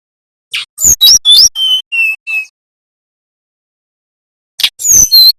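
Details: {'caption': 'Bali brown-chested jungle flycatcher singing a nyiul-style lure song for training young birds: a burst of sharp chirps, three steady level whistles, a long pause, then another chirp burst. No other sounds.'}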